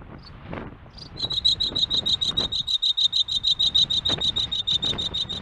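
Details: Turkestan (Pander's) Ground Jay, endemic to the Uzbekistan desert and often heard before seen, gives its alarm call: a steady run of high, clipped notes, about three each second, over a faint low background rumble.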